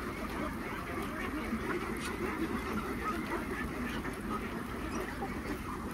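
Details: A large farmed flock of around 3000 Khaki Campbell ducks at feeding produces an unbroken hubbub of overlapping quacks, steady in loudness, with scattered clearer nasal notes within the mass.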